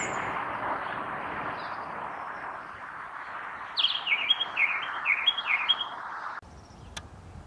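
A song thrush gives a quick run of six or seven sharp, high, slightly falling notes over a steady rushing background noise.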